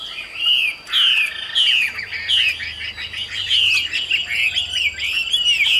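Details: Captive male Chinese hwamei (songbird kept for singing and fighting) singing a rich, continuous run of loud, varied whistles and slurred phrases, high and fast, with no pauses over several seconds.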